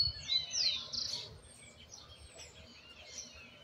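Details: Argentine white goldfinch fledgling practising a misisipi song that still needs polishing. A burst of rapid, high twittering and a sweeping whistled note opens the clip, then the singing fades into soft, scattered chirps and low background noise.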